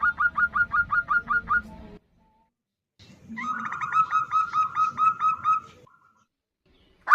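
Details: Zebra dove female calling to a male, answered back and forth: a rapid string of short hooked notes, a pause, then another fast even series over a low rumbling background.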